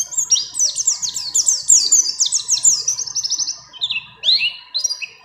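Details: Mountain white-eye female in breeding condition calling to a male, mixed with other birds' phrases: a fast run of high, slurred twitters, then separate rising swoops after a short pause.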